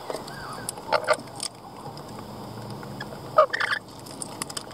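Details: Lorikeets giving sharp, squawking chirps in two clusters, one early and one late, separated by a quieter stretch of low background noise.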